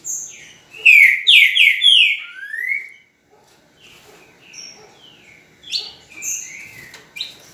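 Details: Green-winged saltator singing on 10 November at 8:05 in the morning: a loud, rapid series of slurred whistles descending in steps and ending on a lower rising note, then softer, scattered chirps and short whistles.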